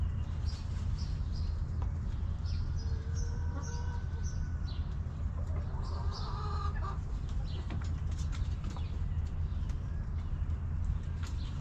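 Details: Backyard hens in their coop: a few drawn-out, mid-pitched clucks with tonal overtones, around the third and sixth seconds, against steady low hum and busy high chirping of small birds throughout.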